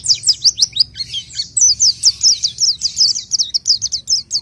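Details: Pelci, the orange-headed thrush, in fast high song: a quick string of sharp descending chirps, then a long even series of clipped whistled notes, several per second, with a faint low hum beneath.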